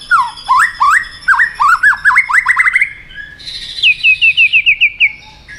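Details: Aroused white-rumped shama fight-singing: a loud run of rising whistled notes repeated about ten times, climbing in pitch, then a fast series of short high descending notes.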